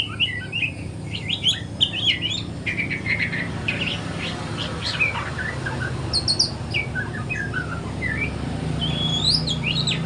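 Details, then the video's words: Morning practice song of a young white-rumped shama. Rapid high chips and clustered notes come first, then sparser twittering phrases, all against a persistent low droning background. "GACOR kicauan murai batu trotol pagi hari"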